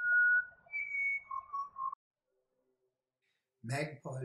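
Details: Pied butcherbird in wooded ridge country of the New England region, NSW, Australia, giving a clear call of pure, flute-like whistles: a few long held notes stepping up then dropping lower, a man's voice after a pause.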